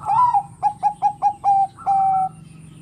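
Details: Bangkok-type zebra dove, a lively singer said to push other doves into song. Gives a wavering opening coo, then five quick clipped notes, then a long steady coo, all in a clear mid pitch.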